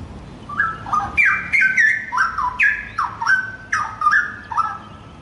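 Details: Young forest-caught straw-headed bulbul singing loud, rich whistled phrases that slide between low and higher notes, each burst with bubbling sharp downward-stepping ends, repeated roughly every second, clear against a quiet background.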